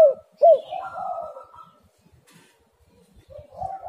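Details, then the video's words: Spotted dove used as a lure to get other doves calling: two loud, short rising-falling coos open the clip, followed by a softer, drawn-out cooing phrase and a quiet pause before another soft coo. "tekukur super gacor"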